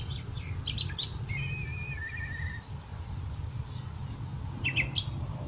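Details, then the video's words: Song thrush in Portugal: a sparse burst of varied high chirps, then a few thin whistled and trilled notes near the two-second mark, one short sharp note near the end, over a steady low rumble of background noise. "Song thrush Call Turdus philomelos Tordo"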